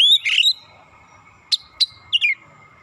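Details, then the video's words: Oriental magpie-robin song meant to provoke a rival: a loud burst of varied whistled and slurred notes, then three short sharp chips and a falling two-note phrase, with a steady faint electronic tone underneath. "KACER LAWAN CEPAT EMOSI NGOTOT BONGKAR ISIAN"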